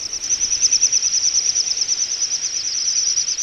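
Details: Wintering flock of little bustards (Tetrax tetrax) at Ag-Gol National Park, Azerbaijan, November 2014, gives a high, thin, continuous whistling that pulses about three times a second; no other sounds stand out.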